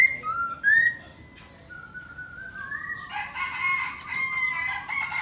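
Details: Black laughingthrush singing while dancing: clear whistled slurs and a long rising whistle, then a dense, noisy chattering passage with overlaid whistles.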